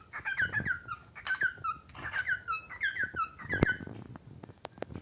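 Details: Squeaky, downward-sliding chirps from a pet parrot singing while eating, repeated in quick clusters, mixed with clicking and crunching noises and a sharp tap near the end.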